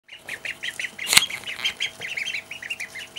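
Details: A call duck eating a treat gives a fast run of short, nasal, high chattering notes, several each second, broken once by a sharp click.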